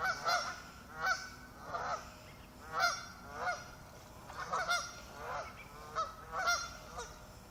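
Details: Warning calls from ducks gathered near a lake shore as they swim away from a new arrival: loud nasal honks repeated roughly every half to one second, several overlapping in pairs, with faint hiss behind.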